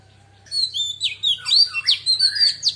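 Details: Female Oriental magpie-robin singing in a wild-type voice, used to stimulate other birds: a rapid run of varied whistled notes and slurred sweeps, bright and high, starting after half a second of quiet, with a low steady hum beneath.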